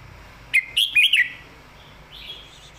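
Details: Red-whiskered bulbul delivering a clearly phrased master-song phrase, a quick chain of four bright, slurred whistles rising and dipping. A softer, lower warble follows a moment later.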